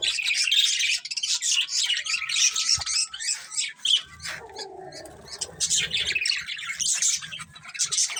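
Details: Colourful budgerigars chirping in dense, high, scratchy chatter, warbling on continuously with short bright notes; the chatter briefly thins midway while low soft thumps and rustling, like fluttering wings, rise underneath.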